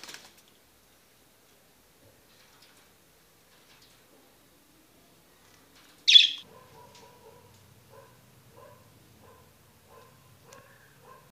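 A cockatoo gives a string of short, soft, fairly low whistled notes about twice a second, after one sharp loud burst; otherwise quiet.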